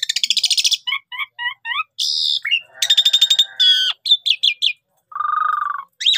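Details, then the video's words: Lure recording of an energetic Javan pied starling: a buzzy rattle, four paired whistled notes, rasping phrases, quick chips, and a long low grating note near the end. "Pancingan Jitu Jalak Suren full Gacor Mompa Istimewa"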